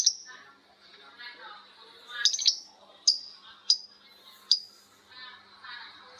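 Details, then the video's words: Lovebirds calling to each other in ngekek style: isolated sharp, high chirps spaced roughly a second apart, with one brief rattling burst and faint chatter between. "Suara Lovebird ngekek panjang❗Suara bikin Lovebird Betmen vs vio vs paskun saling bersautan."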